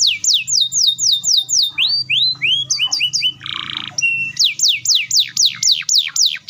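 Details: Canary singing a long rapid roll to spur young and silent canaries to respond. Quick looping whistled sweeps are broken by a few lower rising notes and a short harsh burst before fast sweeps resume.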